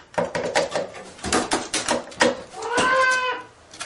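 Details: A New Caledonian crow (Corvus moneduloides) gives one nasal, drawn-out call that sags slightly in pitch, after a run of dry taps and knocks, during a problem-solving and tool-use study.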